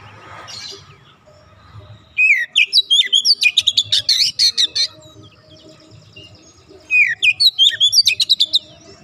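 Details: Oriental magpie-robin (kacer) 'bahan' bird singing 'gacor': after a faint start, a long run of quick, sharp, high repeated notes and slurred whistles, a brief lull, then another rapid phrase.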